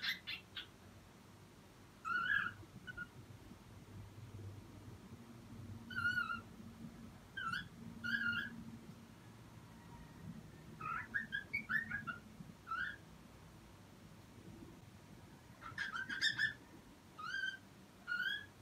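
A cockatiel gives short, bright chirping calls in quick clusters, returning every few seconds.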